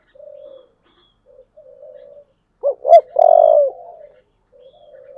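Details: Spotted dove, 'giọng thổ' voice, calling for competition: soft steady low coos, then a loud phrase of two quick curved notes and a long burry coo, then soft cooing again.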